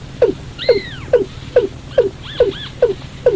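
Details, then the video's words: Lure recording of a watercock for night bird trapping: low, clipped downward notes repeated rapidly, about two per second, with occasional arching two-toned higher calls overlapping. "tiếng chim cúm núm"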